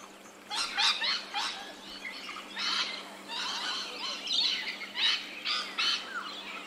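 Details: Rainbow lorikeet in Australia, captured in ambisonic surround sound: harsh, broadband screeches in quick bursts, clustered around the middle and end of the stretch, over a steady low hum.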